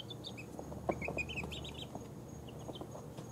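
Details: Chicks aged two weeks, mixed breeds such as ISA Brown, Barred Rock, Speckled Sussex, Easter Egger and Australorp, drifting off to sleep; quick runs of high peeps and soft trills above a constant low hum.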